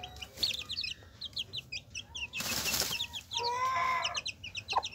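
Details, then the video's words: Hen with her chicks: rapid high chick peeps, a burst of flapping wings midway, then a drawn-out lower hen note with harmonics. "Gallina con sus Pollitos"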